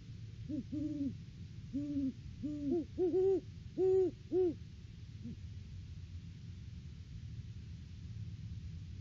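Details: Off-season duet from a mated pair of Great horned owls visiting their nest tree, recorded by live cam on December 3, 2022: a run of low hoots, two voices alternating, one slightly higher, clustered in the first five seconds then quiet.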